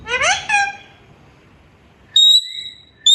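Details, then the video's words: Parrot saying "mian mithu": a short burst of rising, speech-like syllables, a pause, then two high, pure whistled notes, the first held for a moment. "Natural sounds of parrot saying mian mithu"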